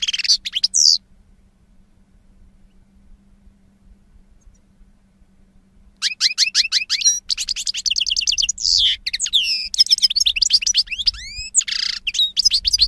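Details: European goldfinch from 2016: a short twittering burst, about five seconds of near silence, then a long lively outpouring of rapid chips, trills, curving whistles and a buzzy note.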